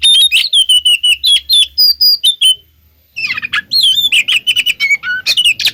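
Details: Oriental magpie-robin song used to lure other magpie-robins to answer: rapid varied phrases of whistled, slurred notes and sharp chirps, a brief pause midway, then dense buzzy and chattering notes resuming.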